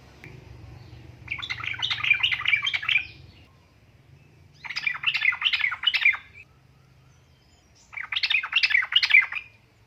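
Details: Sooty-headed bulbul, a female calling a male, giving three bursts of rapid bubbly chattering notes, each lasting about one and a half to two seconds with short pauses between them, over a faint low hum.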